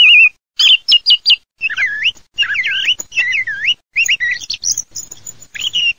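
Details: Singing song thrush delivering varied loud phrases: sharp clipped notes, then repeated swooping U-shaped whistles and twisting high figures, each phrase given once or twice, with a faint low hum beneath.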